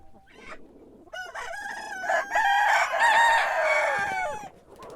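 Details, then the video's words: Rooster crowing in the morning, a loud, drawn-out crow of about three seconds, rough and layered, rising then holding before falling away, after a short quieter call at the start. "Sonido de gallo por la mañana // Cock crowing in the morning"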